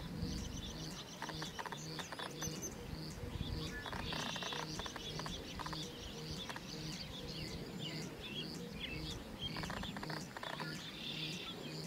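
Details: Male Black-chinned Hummingbird courting a perched female in late spring, Mission Valley, Montana: repeated bursts of dry, buzzy, tremolo wing whirring from U-shaped dives, with thin high chips between, over low wind rumble and other birds singing.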